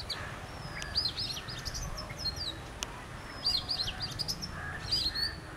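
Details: Varied whistled song of an Oriental magpie-robin from a visiting pair: clear sliding notes, a few sharp ticks, then bright repeated whistled phrases, over faint low background noise.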